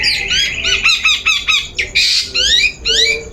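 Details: Long-tailed shrike lure song, used to coax another bird into singing: a fast string of sharp, down-slurred whistled notes with a harsh rasping burst near the middle, over a steady high electronic whine.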